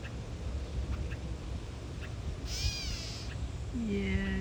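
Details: Catbird defending its nest from a boardwalk gives one slurred cat-like mew midway, preceded by faint ticks and followed by a steady low tone and a thin higher note.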